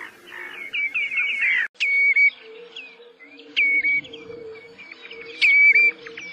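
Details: Common redshank giving short falling whistled notes, some in quick bursts, over a steady low hum, with another bird's rapid warbling twitter at the start.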